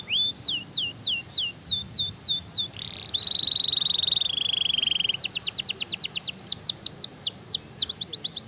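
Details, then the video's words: Canary singing to stimulate other canaries: a rising note, repeated high downslurs, a long rapid rattling trill, then a fast series of sharp clipped notes. "Quick to stimulate the sounds of stress canary"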